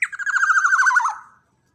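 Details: A big, loud Black-naped oriole used for training birds gives one quick harsh note, then a rapid rattling, wavering trill that drifts gently downward and fades after about a second.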